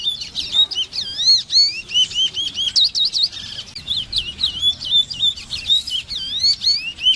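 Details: Large-billed seed finch, known locally as congo, singing: a long, rich string of looping, sweeping whistles and warbled phrases, continuous and bright throughout, over a low background hum.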